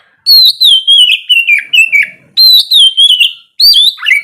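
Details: Oriental magpie-robin morning song used to stir quiet birds into singing: three loud runs of rich, slurred whistles, each starting high and wavering downward, with short pauses between.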